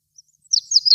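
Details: An olive-backed pipit singing from atop a flowering tree gives a brief burst of song: very high, thin, slurred notes running rapidly together in quick succession. No other sounds are heard.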